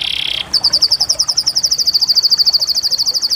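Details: Canary giving a short buzzy roll, then a fast, even tour of high, clipped notes repeated nearly three times a second.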